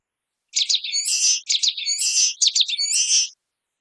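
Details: A common waxbill repeats its buzzy phrase three times in quick succession. Each phrase has brisk chip notes first and then a harsh, nasal, high trill. Nothing else is heard.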